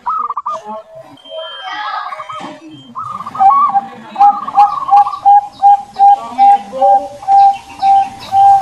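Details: Zebra dove song from a champion contest bird: after some mixed chirps and murmur, a steady series of clear short cooing notes repeated roughly every half second, with other birds faintly in the background.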